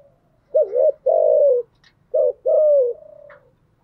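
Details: Spotted dove decoy cooing, a female bird's voice used to draw in wild doves. Two low phrases each pair a short bending note with a longer, level, slightly falling coo, and a faint trailing tail follows.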